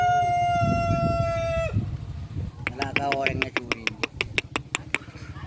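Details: Long, sharp rooster crow compared to a cricket's voice: a flat, sustained harmonic note of nearly two seconds ending in a quick drop, then a run of rapid dry clicks and clucks repeated several times a second, with low background rumble.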